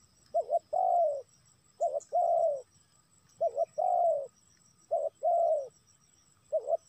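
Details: Lure call of a spotted dove used to attract wild doves, repeated four times about every one and a half seconds, each a brief wavering double coo then a longer, level, mellow coo; quiet hum behind.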